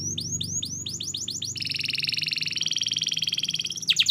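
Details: Canary master training song for young birds learning to sing: a string of descending whistled slurs, then a long buzzy rolling trill that ends in a brief burst of sharp high notes.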